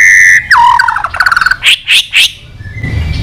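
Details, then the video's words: White-rumped shama song meant to stimulate weak birds to sing: a level whistle, a dropping slide into a quick stutter of notes, then three loud, buzzy, rough notes in a row before quiet background hiss. "chòe lửa hót cực căng kích chim yếu lửa hót ,kích chim hót đấu, luyện giọng chòe lửa hót"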